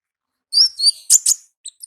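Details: Olive-backed sunbird in the wild: high, sharp chirps and thin whistled notes in a quick burst of about six elements, clean background.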